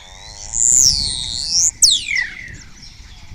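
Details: A spotless starling sings right in front of a webcam in Cabañeros National Park, Spain, its repertoire including imitations of orioles and kites. A loud, high, arching whistle, then a sharp descending whistled slur, with faint low background hum.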